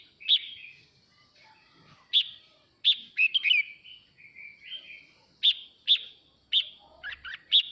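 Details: A male red-whiskered bulbul sings to call the flock, a lively run of sharp, piercing whistles and rolling chirpy warbles, the bright notes coming roughly every half second to second over near-silence.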